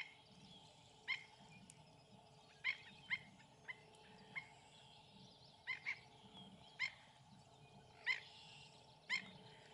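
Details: Two black-necked stilts defend their feeding site against another pair, with no nest nearby. Sharp, high yipping notes come singly or in quick doubles, about ten in ten seconds, over a steady insect-like hum.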